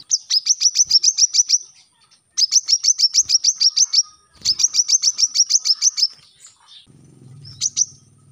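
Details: Brown-throated sunbird song used to coach captive birds: three fast series of high, sharp repeated notes, then quieter chips with a low rumble in the background.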